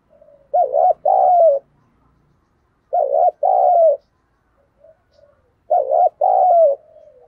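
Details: Captive decoy spotted dove giving its luring call: three evenly spaced coo phrases roughly every two and a half seconds, each pairing a quick throbbing note with a longer drawn-out coo, quiet background.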